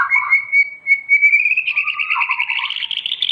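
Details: Training song of a white-rumped shama: a long steady whistled note gradually rising in pitch, breaking into a fast trilling warble with lower scratchy accompaniment.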